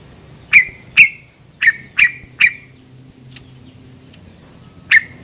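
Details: Yellow-vented bulbul used as a lure, calling 'cuk cuk': six loud, sharp notes, each with a short falling tail, spaced irregularly about half a second apart with one longer gap before the last, and a quiet low hum beneath.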